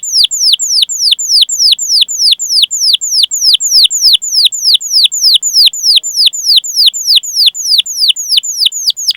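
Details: Canary 'cuit cuit' calling song as a lure for young or silent canaries: very regular high whistled notes, each sliding downward, repeated evenly about three per second throughout.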